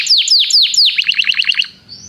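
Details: Canary in song training, calling a friend to sing: four loud descending swept whistles followed by a quick series of short bright notes, ending in a faint whistle.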